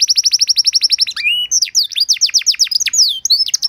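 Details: Canary singing a training song to teach other canaries: a very fast, steady trill of descending notes, a short rising whistle, then looser, quick swooping notes in irregular bursts.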